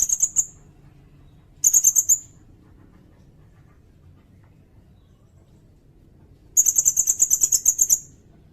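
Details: Blue-crowned hanging parrot (sirindet), a recording used as tutor material for training songbirds such as oriental magpie-robins and white-rumped shamas, and for luring birds. Three bursts of very high, thin, rapid chittering notes: two brief, then a longer run of about one and a half seconds, over a quiet low hum.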